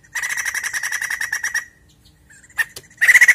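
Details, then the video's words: Lively White-crested laughingthrush song played to spur a caged bird: about a second and a half of fast, harsh, rattling chatter, a pause with a couple of sharp clicks, then another loud chatter burst. "Pancingan Bunyi Poksay Jambul Gacor!!!"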